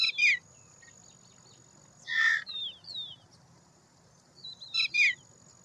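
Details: Indian roller calling with short grating, rasping bursts, three loud outbursts separated by quiet gaps, with thin descending whistles of other birds and a faint steady high tone behind.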